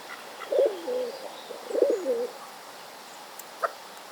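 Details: A hooded crow fledgling with a bad case of hiccups gives two soft, low, gulping hiccups about a second apart, each with a brief wavering note, then a single faint click.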